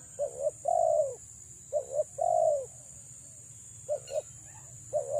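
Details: Female spotted dove lure bird cooing: double short notes then a long purring note, repeated, with further short coo pairs after a pause; faint chirps and a steady high whine.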